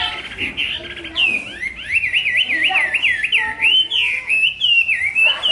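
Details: Chinese hwamei singing a loud, clear whistled song of rapid rising-and-falling warbled notes in a continuous wavy run, with brief higher slurred whistles between phrases.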